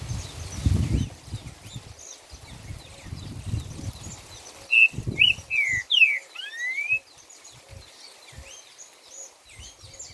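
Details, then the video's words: Trinca-ferro, the green-winged saltator, delivering its 'boi' style song, a quick run of about five full, slurred whistled notes, some rising and some falling. Low rumbling noise sounds early on and faint chirping continues underneath. "Trinca 4 notas boi"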